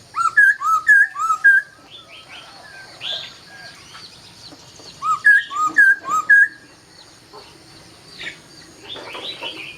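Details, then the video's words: Laughingthrush singing at dawn: loud, clear whistled notes in two quick bursts of about five each, rising and falling, with softer chattering and scratchy notes in between. "Nghe Tiếng Chim Khướu Hót Cực Hay"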